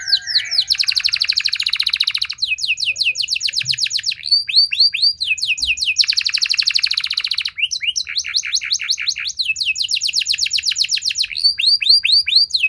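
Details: Canary in sustained song: rapid buzzy trills alternating with series of falling whistled notes, phrases changing every second or two, bright and high throughout with only brief pauses.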